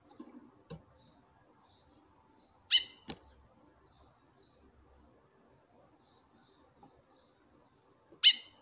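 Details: Female chestnut-bellied seed finch calling to a male: two strong, sharp, harmonic calls about five and a half seconds apart, a crisp click after the first and faint high whistles in between.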